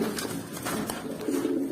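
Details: Young adult pigeons, eight to nine months old, coo in a low, continuous, throaty hum with a few soft clicks. The rumbling swells toward the end of the short indoor stretch.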